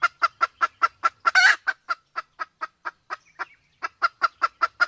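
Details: Sumatran red junglefowl, male and female with a female in heat, used as a lure for hunting: rapid series of short clucks about five per second, steady and even, with one louder harsh burst near the start and a brief pause.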